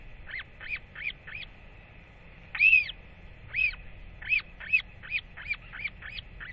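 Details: Northern royal albatross chick, dated 8.10.24, wheeing with excitement as it paddles over to a returning parent for a feeding: about a dozen short, high chirping peeps, roughly two a second, one louder and longer midway, over faint hiss.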